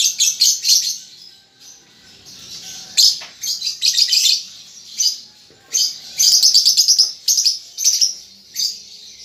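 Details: Young lovebird learning to chatter: dense high buzzy chattering in bursts of rapid sharp chips, broken by brief pauses, shrill and scratchy throughout.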